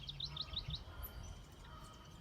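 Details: A House Wren in a tangled thicket at Shawnee Prairie Preserve on a late-April morning, during spring migration, gives a quick run of about six bright, chirpy notes in under a second, then falls quiet over low wind rumble.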